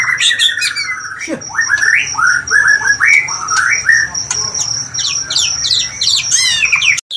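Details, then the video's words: Varied song of an oriental magpie-robin: a long run of rising whistled notes and scratchy slurs, ending in fast high twittering, with a steady high-pitched tone behind. "KICAU MANTAP BURUNG KACER"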